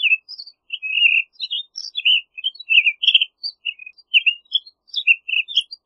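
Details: Townsend's solitaire in full song, a bubbling stream of short whistled and slurred notes that leap between high and lower pitches, kept up steadily for about six seconds.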